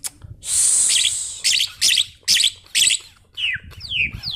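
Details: A tame Asian pied starling gives a long high hiss followed by four harsh buzzy bursts about half a second apart. The phrase ends in falling whistled slurs. The recording serves to lure or train other birds.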